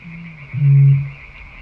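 A Eurasian bittern gives a single deep, hollow boom lasting about half a second, like a distant foghorn, over a faint steady high hiss.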